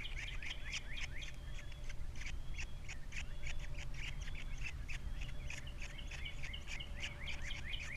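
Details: Osprey at the Captiva nest holding three chicks, 21 February 2022: continuous excited chatter of sharp, quick whistled chirps and slurred notes throughout, with low hum in the background.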